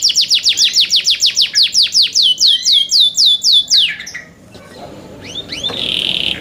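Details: Young canaries in care sing a loud series of clear descending whistled notes, about four per second, followed by quieter scattered chirps and a brief trill.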